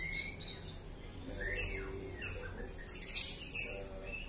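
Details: Captive 5-month-old juvenile white-rumped shama of the Bahorok line, in a short burst of varied high whistles and buzzy slurred notes, ending with sharp, very high clicking phrases; faint background noise.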